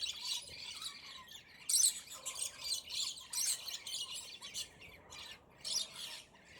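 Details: Territorial scaly-breasted lorikeets fighting, a squabble lasting about 10 minutes: harsh, grating screeches in rapid, overlapping bursts, loudest in short flurries about every second, with faint rasping chatter between.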